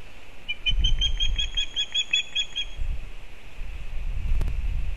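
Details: Osprey, the elder chick, fledged and returning to its nest in Kurzeme, Latvia, filmed by a live nest camera on 15 August 2024: a quick run of about ten sharp, high whistled chirps over two seconds, over low wind rumble.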